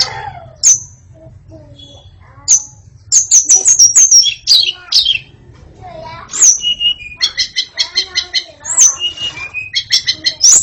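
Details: White-rumped shama delivering scattered high whistles and falling slurs that build into a rapid series of repeated chattering notes, with a faint human voice in the background.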